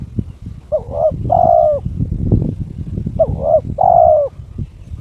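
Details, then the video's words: Spotted dove (terkukur), a kept bird in breeding condition, challenging a rival. Two phrases, each a pair of short notes leading into a long, wavering, downward coo, with low rumbling and tapping sounds underneath. "TERKUKUR TOKCER SUARA KRISTAL MENGUNDANG LAWAN/My turtle dove chirps challenging its opponent"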